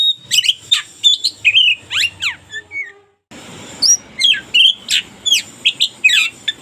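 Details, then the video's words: Oriental magpie-robin, local type, singing busily as a daily tutor: quick repeated whistles, chips and steep downward slurs in a steady stream, one brief gap, light background hum. "KACER LOKAL GACOR SUARA UNIK COCOK UNTUK MASTERAN HARIAN!"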